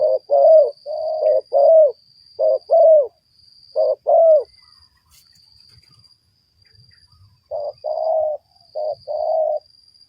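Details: Spotted dove heard in a luring session: mellow, low cooing phrases of several quick rounded notes in bursts, a pause of a few seconds, then another cooing run, over a faint steady high whine.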